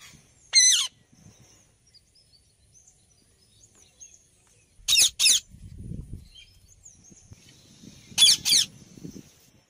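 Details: Rose-ringed parakeet giving short, shrill, harsh screeches, repeated in quick pairs high in pitch, with a faint background hiss and a few softer bird chirps.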